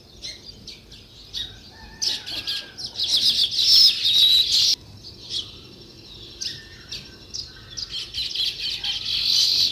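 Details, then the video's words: Several sparrows chirping in a busy, overlapping chorus of quick, bright chirps, over two per second, swelling louder in the middle and again toward the end. "Natural Sparrow View and Sounds | Chirping Sounds"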